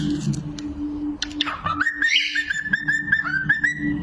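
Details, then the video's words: Pet cockatiels whistling indoors: after a low steady hum and some noise, clear whistled notes start, rising to a sustained tone with short dips and repeated phrases. "These cockatiels are the real rockstars of the bird world!"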